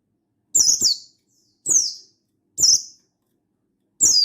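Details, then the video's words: Buxtoni mountain white-eye in energetic wild-style song, calling a rival to provoke other white-eyes, dated 16/8/22: five piercing high chirps sliding downward, the first two close together, then single notes about a second apart, clean background. "Burung Buxtoni Gacor Ngalas Memanggil Lawan"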